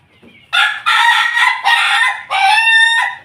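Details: Pelung chicken crowing in a house yard in Jogja, Indonesia: a loud, harmonic-rich crow broken into several strong segments, ending in a long drawn-out steady note, with a faint quieter call just before it.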